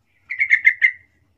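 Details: Yellow-vented bulbul giving a short soft lure phrase to provoke answering bulbuls: four or five rounded, bubbling notes run together in under a second, in silence.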